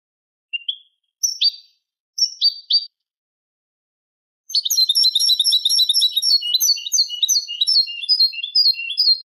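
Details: Tutor recording of Eurasian goldfinch song, Málaga style, meant for training chicks and hybrids: three short, separate high chirps, a pause, then a rapid unbroken run of bright twittering and metallic trilled notes.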